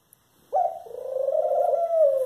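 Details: One sustained, coarse nasal call from a Eurasian collared dove, low and even in pitch, swelling slightly in loudness over nearly two seconds, with a faint click just before it starts.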